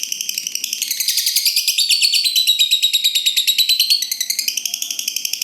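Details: Lovebird in the long 'ngekek panjang' style, meant as a lure to get other lovebirds singing: a continuous, rapid, high-pitched chattering trill lasting over five seconds, with beats repeated several times a second and slightly rising then falling.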